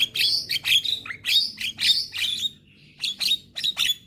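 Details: Young Javan myna, singing hard with head nods: loud harsh squawking bursts with squeaky overtones roughly twice per second, a brief pause, then several more sharp notes.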